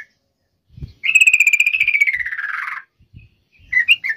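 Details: Yellow-vented bulbul in lively song, used as a lure to call a rival: one long, rapid, buzzy rattle of pulsed notes lasting nearly two seconds, sliding gradually downward, with low thumps before and short chirps after.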